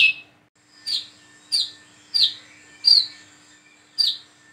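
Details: Plain-throated sunbird learning to sing, uttering six evenly spaced, piercing high chirps roughly every six tenths of a second, each a quick downslurred squeak.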